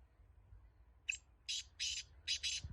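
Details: Antique Laka black francolin calling at a distance: a short clipped note followed by two broad harsh notes and a closing quick double, over steady low background rumble.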